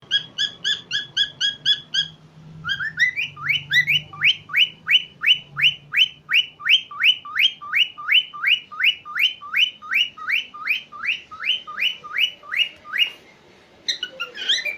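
A cockatiel sings a long run of bright, rising whistled notes, each repeated quickly and evenly.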